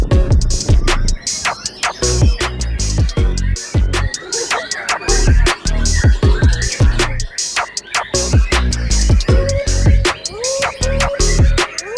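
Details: Loud electronic music with heavy bass and sharp drum hits throughout; no animal sounds are heard.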